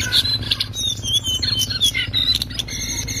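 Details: Loud ngriwik singing of the lesser shortwing, a master for tutoring songbirds: rapid jumble of thin high whistles, slurred notes and clicks, continuous over a low droning hum.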